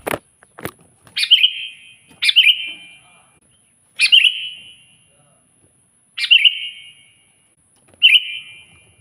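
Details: Loud Sooty-headed bulbul song for calling a rival: a few sharp clicks, then five short, ringing whistled phrases at irregular two-second intervals, each with a resonant echo.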